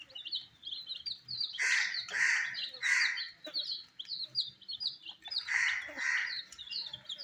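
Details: Coloured baby chicks eating wheat, a flock peeping constantly with short high downslurred chirps, broken by louder, broader bursts of calling about every half second to second.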